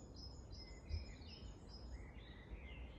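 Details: Faint, high, thin repeated notes from long-tailed tits in Grunewald on 20 March 2021, with a few slightly lower sliding calls, set against constant low rumbling noise.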